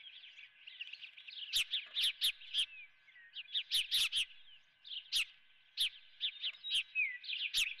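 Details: Nesting osprey with a live golden fish for breakfast; ongoing high whistled chirps with frequent louder sharp notes grouped in clusters, and faint steady hum.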